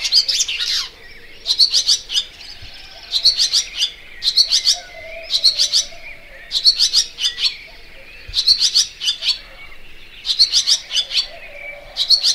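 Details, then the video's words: Barn swallow, locally Layang2 Asia, twittering in repeated bright bursts of rapid high chirps, roughly one burst every second, steady and even throughout, with quiet background hiss. "Layang2 Asia"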